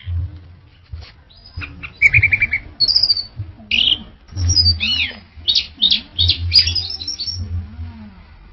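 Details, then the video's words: Orange-headed thrush in full song: varied whistles, buzzy trills and rapid chattering phrases follow one another. Low rumbling noise runs throughout. "Suara Burung ANIS Merah | GACOR Teler Doyong Juara Mantap"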